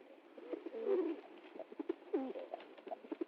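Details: Soft pigeon coos, a couple of short warbling, throaty notes rising and falling, among light clicks and rustling in a quiet setting.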